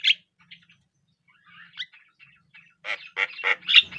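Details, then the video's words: Javan myna, a black bird with a yellow bill, gives a sharp chirp, soft scattered twitters, then a loud closing run of four or five harsh, rasping squawks. "Suara Burung Jalak Kerbau / Kebo....Belajar Gacor..."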